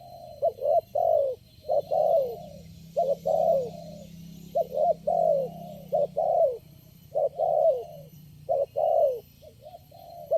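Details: Spotted dove reacting strongly to a lure bird, the only one calling at the trapping site; repeated low coo phrases of paired short notes and longer downslurred coos over about ten seconds, with low rumbling background noise.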